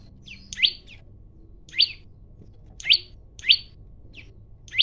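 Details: Male olive-backed tailorbird singing actively with a varied song, challenging rivals to fight, recorded on a phone; loud, sharp upswept chirps repeated at irregular intervals of about one second, with softer short notes between them and a faint low hum.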